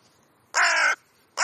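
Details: Talkative crows chatting: a loud, harsh, rasping caw held for about half a second, followed by the start of a second caw after a short quiet gap.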